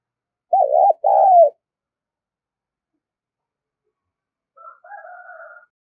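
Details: Spotted dove luring call: a wavering two-part coo, loud and mid-pitched, followed after a pause by a softer, fainter cooing phrase.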